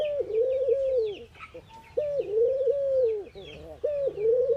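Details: Ring-necked dove, an Indian bird, in morning activity: a low, drawn-out coo that dips and swells, repeated about every two seconds, with thin high chirps of small birds behind.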